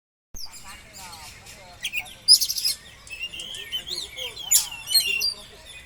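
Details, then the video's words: Oriental magpie-robin (kacer) song used as a lure to make the bird spread its tail: varied high whistles, trills and chattering phrases, with loud bursts near two and four and a half seconds. "pancingan kacer agar buka ekor"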